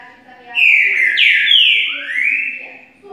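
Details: Green-winged saltator in boiadeiro song style; loud, full whistled phrases sweeping up and down, then a long rising slur, with faint low voices underneath.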